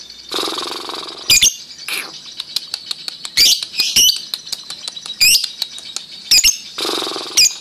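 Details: Lovebird giving its ngekek chatter: continuous high buzzy chattering punctuated by sharp clicks and short shrill squeaks, busy and fast throughout.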